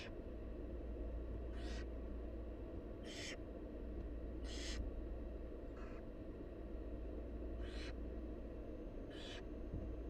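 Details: Hoarse hissing screeches from wild barn owl chicks as their mother brings food, six short noisy bursts spaced one to two seconds apart, one noticeably thinner, against a droning low background.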